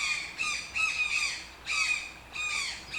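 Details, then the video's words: Toucan giving harsh, nasal squawks in rich harmonic bursts, each a slightly downslurred note lasting about half a second, delivered in uneven clusters with short pauses between them. "TOUCAN SOUNDS - Toucan Sound Effect"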